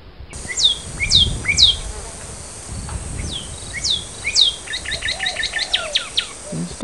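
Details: Northern cardinal nestlings in the nest while their father tends it; a series of sharp descending high chips, then a fast run of repeated short chirps, with a brief low voice in the background.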